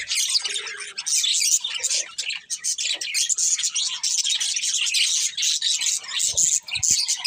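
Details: Budgies kept as pets chatter nonstop, a busy stream of high twittering, squeaks and harsh scratchy notes from more than one bird, with short dips in loudness.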